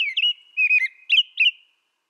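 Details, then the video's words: American robin whistling a string of four warbled phrases, one drawn-out and wavering, the others short and slurred, ending in silence. "American Robin Bird Song Sound"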